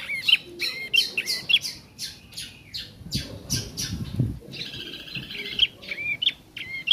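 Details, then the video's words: Young bar-winged prinia practising, giving sharp high chirps at roughly one per second mixed with rapid buzzy pulses, a wheezy rattling passage midway, and some low rustling noise. "Prenjak Anakan/Trotol Belajar Bunyi/Prenjak trotol Gacor"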